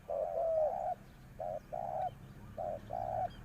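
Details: Decoy spotted dove used to call wild doves, producing three evenly spaced pairs of mellow coos, each a short note followed by a longer sustained one.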